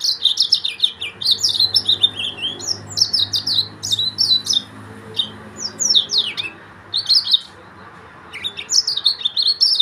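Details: Song of a Yellow-fronted canary from Mozambique, a long run of quick chirping notes and descending slurred whistles, sung in bursts with a brief pause near the end, over a low background hum.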